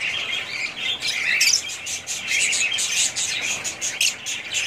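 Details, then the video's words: Budgerigars, several together, produce lively high twittering and chirps in pulsing bursts, the chatter swelling and easing every second or so. "budgies parrots"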